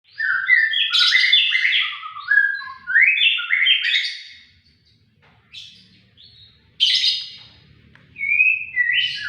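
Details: White-rumped shama singing vigorously and persistently with a sharp voice: rich whistled phrases sliding up and down, mixed with buzzy rising notes, delivered in bursts separated by short pauses, with a faint low hum underneath.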